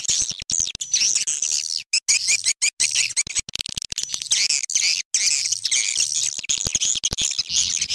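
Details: Crafted swiftlet calling sound meant to attract swiftlets to a farm; overlapping high-pitched chirping and thin whistled notes continue steadily, interrupted by frequent clicking breaks.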